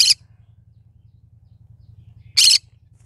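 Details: Two short, harsh screeches from a cinnamon green-cheeked conure, one at the start and one after a silent gap of over two seconds, with a low electrical hum continuing.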